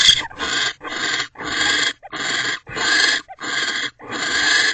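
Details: A pair of owls mating in a nest box on January 20, 2024, at 3:33 pm. Harsh, hissing screeches with broad, raspy tone come in rapid bursts, about eight in under five seconds, with short gaps between them.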